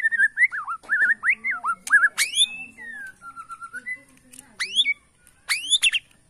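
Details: Bornean white-rumped shama in 'sujud' bowing style, singing to provoke opponents: clear looping whistled phrases, then sharp steep upward-sweeping notes repeated at intervals of about a second, against near silence.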